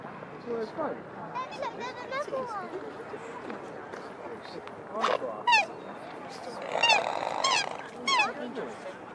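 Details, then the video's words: Male black swan showing signs of wanting to nest gives high, bugling, nasal whistles in short bursts; his mute swan mate tries to answer with softer snorting notes, and there are faint human voices in the background. "Black Swan's Mute girlfriend tries to reply"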